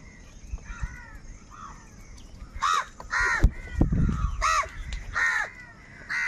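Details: Crows quarrelling over food produce a busy run of coarse, nasal caws, some overlapping, with low thumps and rustling in between.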